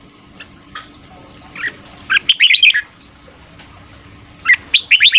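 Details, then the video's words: Fast morning 'ché' song of a red-whiskered bulbul, used to coach voices and excite newly trapped birds; soft chirps build to a rapid burst of clear warbled notes, then a second quick phrase at the end, with faint high twitters behind. "Luyện giọng chào mào hót sáng ché/kích bổi theo giọng nhanh"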